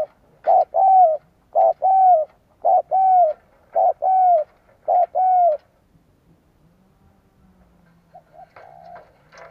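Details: Spotted dove cooing, used to lure wild doves: five loud two-part coos, a short note then a longer falling one, about one per second, followed by faint distant cooing and a low hum.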